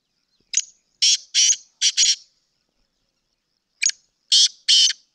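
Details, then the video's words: Black francolin calling: loud, harsh, grating notes in two phrases, a short note followed by three or four broad rasping bursts, then a pause and a similar repeated phrase; clear with a quiet background. "Kala teetar Ki awaaz"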